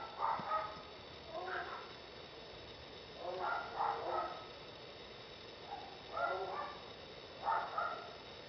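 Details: Clay-colored thrush (Turdus grayi, yigüirro) giving mellow, warbled phrases of a second or less, separated by pauses of one to two seconds, over a steady hiss.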